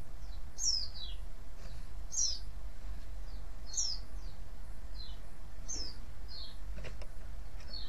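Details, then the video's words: Calls of a white-eye, used to prompt other white-eyes to respond: high, thin, downward-sliding chirps repeated roughly every one to one and a half seconds, some doubled, with faint clicks and steady low hum. "cuitan dan crecetan pleci ini ampuh memancing pleci lain nyaut"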